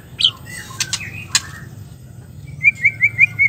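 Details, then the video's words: Female white-rumped shama calling to prompt quiet males to resume song: a high sharp note and several broad clicks, then a run of five short whistled rising notes about every fifth of a second. "suara betina murai batu ampuh untuk memancing murai stres,macet bunyi"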